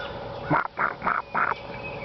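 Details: A male sun conure, after finishing breakfast, gives four harsh, raspy squawks in quick succession, about a third of a second apart, letting the other squawking birds know he is the loudest.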